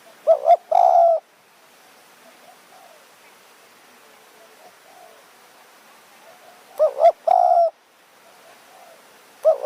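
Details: Spotted dove in Kanchanaburi's high forest, Thailand, called in by a decoy at evening. A double coo with a held low note, a long quiet pause, then the phrase again and a third beginning.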